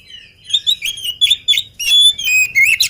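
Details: Oriental magpie-robin, described as agile and not yet fed, in full vigorous song: a quick run of sharp whistled notes and chattering trills, ending in long, bright, sustained whistles.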